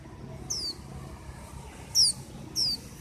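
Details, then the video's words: Three sharp, high, descending whistles from a white-eye, the first softer and the later two louder and closer together, over a steady low hum. "Tiếng chim vành khuyên hót"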